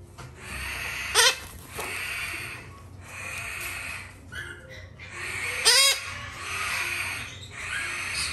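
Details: A young male red-shouldered macaw chick, hand-fed three times a day, gives a steady hissing rasp broken by two loud, harsh screeches about four seconds apart.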